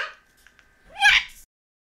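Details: A male blue-crowned conure in a quiet room in Magalia, California, on 28 February 2009, loudly protesting and talking back after being told to shut up, gives a brief tonal, voice-like note, then a harsh, raspy squawk about a second later.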